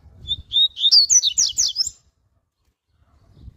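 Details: Double-collared seedeater giving a rapid 'tui tui' warm-up song: a thin whistle, then rising, stuttering high notes breaking into loud sharp twitters for over a second before abrupt silence.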